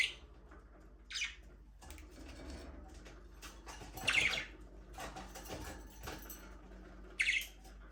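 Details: Aviary budgies: occasional short, clear rising chirps spaced several seconds apart over a quiet bed of soft chatter and low hum.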